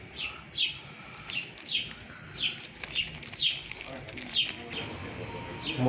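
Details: Sparrows feeding their chicks at the start of summer: a series of sharp, high, downward-sliding chirps repeated roughly every half second to second, with faint background noise and a louder knock at the end.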